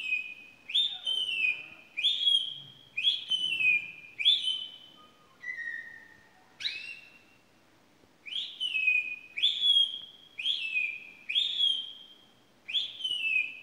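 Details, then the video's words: Unusual song of a pet canary: a string of clear whistled notes repeated roughly every 0.8 seconds, each rising sharply and then sliding down, with one lower note and a short pause midway. "Weird song of my canary"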